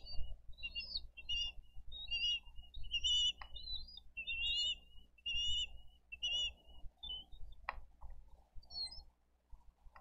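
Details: On 22 April 2023 at a Dade County wildlife rescue nest cam, bald eagle parents feed fish to the eaglets while the little chick is afraid to eat. Quick choppy high chirps and short whistles tumble irregularly, with a couple of sharp clicks and low rumble.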